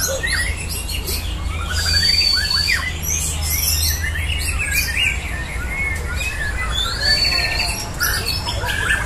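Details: White-rumped shamas (Copsychus malabaricus) at a simulated song competition sing in rich, varied whistles and rapid trills, several birds overlapping, over a steady low hum.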